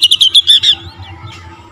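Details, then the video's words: Oriental magpie-robin singing to provoke rival magpie-robins; a brief run of six rapid, bright repeated whistled notes lasting under a second, then quiet with a low hum. "TERAPI KACER LAIN LANGSUNG TERPANCING EMOSI GACOR DOR"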